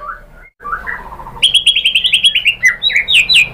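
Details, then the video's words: White-rumped shama song used as a lure to provoke other shamas: soft low warbled phrases, a brief break, then a loud rapid series of bright, clipped high notes tumbling downward. "MURAI BATU Langsung NYAMBER EMOSI BONGKAR MATERI ¦ PANCINGAN MURAI ¦ SHAMA BIRD"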